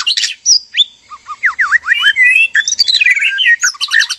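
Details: Male and female white-rumped shama in a breeding enclosure, singing to spark mating: harsh opening notes, then a rapid run of V-shaped swooping whistles and a descending stream of bright whistled phrases.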